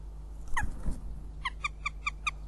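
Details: Northern goshawks at the nest in Riga on 1 May 2016, one adult away and returning while its mate incubates eggs: a few low thumps, then a series of about six sharp, slightly falling notes spaced evenly every fifth of a second.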